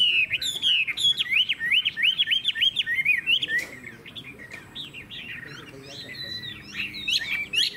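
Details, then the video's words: Chinese hwamei kept as a cage bird, pouring out quick repeated looping whistles about three per second, followed by softer varied warbling and a few sharp high notes. "Họa mi hót hét tốt - Giọng hay"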